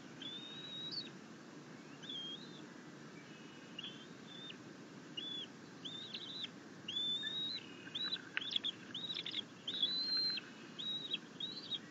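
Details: Bald eagle eaglet, happy after its mother delivers a fish while it was trying to feed itself on a rabbit, 9 June 2021. Thin, high chittering notes come in short clipped bursts and flat whistled slurs scattered through the clip.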